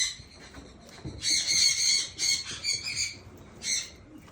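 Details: Blue eared pheasant eating green grass; harsh, nasal squawks given in short bursts of about a quarter to half a second, several close together and then a pause, over a quiet background.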